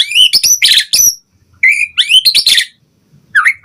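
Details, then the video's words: White-rumped shama song used to draw responses from other birds: scratchy, rich twittering bursts with a few clear whistled slurs, separated by brief silences. "Pancingan Murai Batu Gacor Cepat RESPON Langsung NYAUT Auto BONGKAR Buat Masteran Suara Burung Murai"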